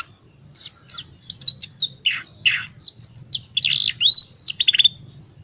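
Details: Lure song of an Oriental magpie-robin, ngriwik twittering type, to get quiet birds singing: soft chirps building into a string of high, slurred whistles and scratchy notes, louder toward the end.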